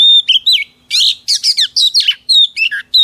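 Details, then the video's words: Female Oriental magpie-robin singing to excite a male: clear descending whistles mixed with rapid buzzy, scratchy notes, delivered in quick bursts with short pauses between. "Chòe than mái HUÝT KÈM THÚC TRỐNG kích trống căng lửa"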